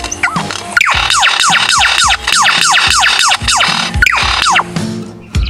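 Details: An Australian lyrebird, listed among scary-sounding Australian birds, gives a fast, loud run of ringing, down-slurred notes, about three or four a second, each sweeping sharply downward like a laser zap.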